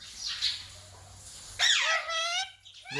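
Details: Rose-ringed parakeet kept as a pet indoors, said to be talking and repeating words like mummy and papa; a short high, buzzy screech with a falling tail, then a brief rising squawk, in a quiet room.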